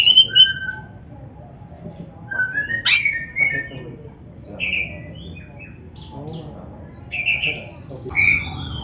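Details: Oriental magpie-robin singing, a recording meant to train young or lazy kacer: scattered short whistles and chirps with pauses between them, a sharp loud note near the third second, and quieter slurred phrases later.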